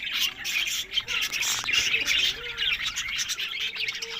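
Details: Pet budgerigars kept for breeding in Larkana, Sindh. Dense, continuous warbling chatter from several birds, with scratchy twitters and short whistled notes overlapping without pause.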